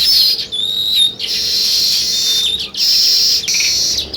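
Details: Sparrows in India, alongside weaver birds building nests, chirp in a dense, busy chorus of high, twittering chatter, broken by a few clear whistled notes and brief pauses.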